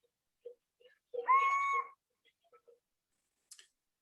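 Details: Little Owl, male and female hard to tell apart, giving its song of one repeated note: here a single drawn-out, steady, clear hoot lasting under a second, with faint soft clicks before and after and a short hiss near the end.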